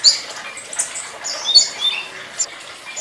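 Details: A blue flycatcher, used as a master song for songbirds, gives thin, high, scratchy twitters and brief sharp notes in loose bursts about every second or two over a faint hiss.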